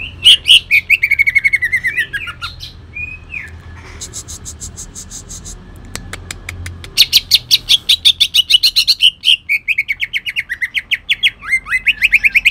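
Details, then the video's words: Cucak ijo leafbird from Kalimantan, kept bird, singing rough 'tembakan' bursts with a shrike-imitation fill: rapid harsh repeated chattering notes, a short descending whistled run, then long loud trains of staccato buzzy notes. "cucak ijo kalimantan tembakan kasar"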